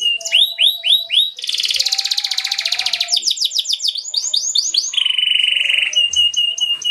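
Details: Atlantic canary lure song with rolls meant to draw other canaries into singing: curling whistled notes, a long dense fast trill, looping phrases, then a steady level whistled roll.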